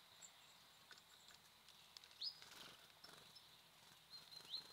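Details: Wild birds visiting a feeder: two short, bright, rising chirps, one near the middle and one near the end, over a soft hiss with faint pecking clicks.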